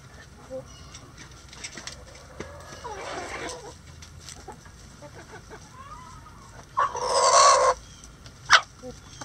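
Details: Coop chickens at feeding: faint ticking clucks and a brief murmur, then a single loud, rough squawk lasting under a second, followed by a sharp click, against a low background hum.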